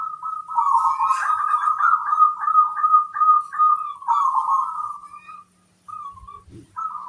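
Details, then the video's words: Local zebra dove, a strong singer with a big 'kung' voice: loud, dense run of bubbling coos almost without pause, then a short gap, a low knock and more cooing. "Perkutut lokal gacor, gayer suara kung besar"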